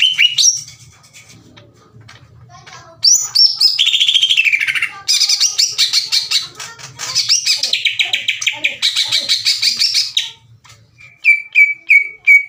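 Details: Caged greater green leafbird singing loudly and aggressively in open, harsh bursts, challenging other leafbirds to fight. A varied run of whistled phrases, falling slurs and rapid buzzy chatter ends in short high repeated notes, with a faint low hum beneath.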